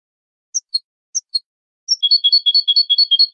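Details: Malagueño-style canary song used for bird education: two widely spaced high double notes, then a fast, even trill that alternates between two tones and continues to the end.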